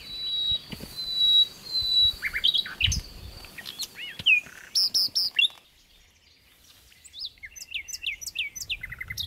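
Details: Common nightingale singing by a river: varied phrases of clear whistles, sliding notes and rapid trills, with short pauses and a quiet gap before a run of quick rising whistled notes; low murmur of water or background beneath.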